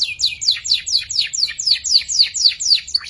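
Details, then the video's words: Young canary in ngeriwik practice, used as tutor song for magpie robin and shama birds: an evenly repeated series of about twelve loud downward-sweeping whistled notes, two per second, with a softer trill between them. "PANCINGAN KENARI PAUD BELAJAR NGERIWIK"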